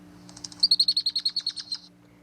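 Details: Female Red-winged Blackbird song, described as musical but stern: a fast, dry chatter of about a dozen high, clipped notes that rise in strength, then stop abruptly.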